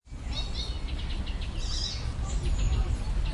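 Icterine warbler singing a quick, varied run of high chattering and whistled notes, faint over a heavy low rumble of background noise.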